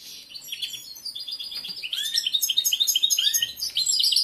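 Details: Male European goldfinch in breeding condition, a caged competition singer, delivers a quick run of bright, high twittering notes and short trills building in loudness toward the end.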